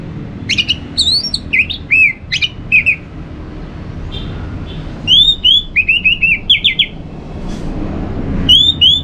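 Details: Orange-headed thrush song, used to stimulate other birds to sing in a covered cage or in the morning: clear whistled phrases and slurred notes in bursts, with quick descending and rising whistles, a pause, then more rapid repeated notes.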